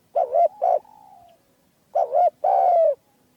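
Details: Spotted dove with a small, clear, rare voice, kept for hunting its kind: two short husky coo phrases, a long sliding tone, then a pause and a two-part coo ending in a drawn-out falling note.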